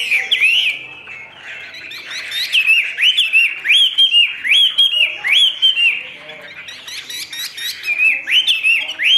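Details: Caged Chinese hwamei, a bird offered for sale in Vietnam, singing loud, varied whistled phrases that swoop up and down, given in quick succession with rapid chattering notes layered above, continuous for about nine seconds.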